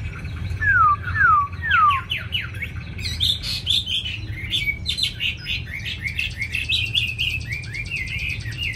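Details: Chinese hwamei, a caged bird in Hanoi praised for singing readily. Clear downslurred whistles come first, then a rush of fast buzzy chirps breaks into a rolling, varied warble that continues to the end.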